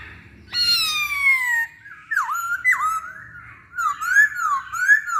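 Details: Masked laughingthrush singing as a lure for other birds: a long, loud falling whistled squeal, then two deep V-shaped whistles and a pair of rolling, rising-falling whistled phrases.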